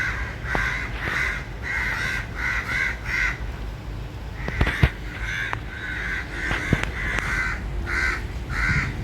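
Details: Crows caw harshly and repeatedly in the morning, about one or two grating calls a second, several birds overlapping, over a steady low rumble of background noise.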